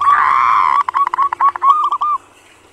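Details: Local zebra dove, a kept bird, singing for use as a lure recording: a drawn-out hoarse coo, then a choppy run of short, quick notes that ends abruptly, followed by quiet.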